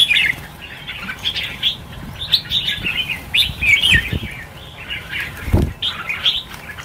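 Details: Red-whiskered bulbuls, a flock of about 1000 being released at New Year, give a dense chorus of bright, overlapping chirps and short warbled notes. Wing flaps and low thuds sound underneath.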